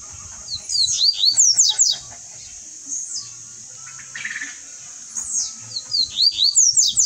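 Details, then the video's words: A Double-collared Seedeater sings two bursts of high, fast phrases of sharp, sweeping whistles and trills, with a short pause between them and a faint low hum underneath. "COLEIRO ALOK PASSANDO CANTO"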